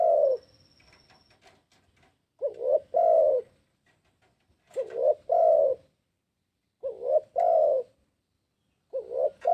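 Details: Spotted dove calls used as bait to attract wild doves: repeated low, mellow cooing phrases, two quick notes and a sustained coo, roughly every two seconds, with a thin whine and faint clicks in the background.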